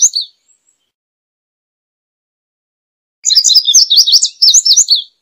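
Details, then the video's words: A brief high note, a long silence, then an indigo bunting delivers a bright run of doubled, sliding whistles lasting about two seconds. "Azulejo Indigo Canto! Llamado! Sonido! Cantando! - Indigo Bunting Song - Passerina Cyanea"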